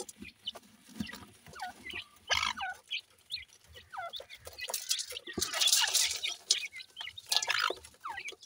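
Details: Grey francolin chicks at play, giving a busy stream of short, high chirps, some sliding downward, in uneven bursts, mixed with scratchy rustling and tapping sounds.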